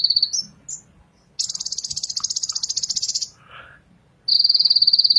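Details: Ninja sunbird singing: high, rapid buzzy trills of fast repeated notes, broken by short whistled notes and a brief lower warble, with quiet gaps between bursts.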